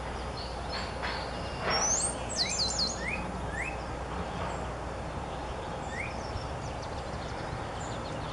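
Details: Wild birds singing cheerfully in a yard on a spring morning, recorded on a Canon PowerShot SX50 HS: scattered short rising chirps and a few high sweeping notes over a steady low hum.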